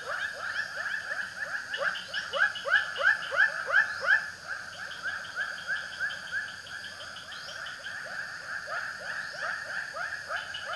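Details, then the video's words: A white-breasted waterhen (ruak-ruak) delivers a long series of rising croaks, about three per second, loud in the middle then softer, with some faint higher rising notes in the background. "suara burung ruak ruak"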